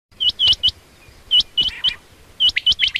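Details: A female quail, common or rain quail, gives quick, high chirps with an upward flick, in bursts of two or three about once a second, over a faint low background rumble.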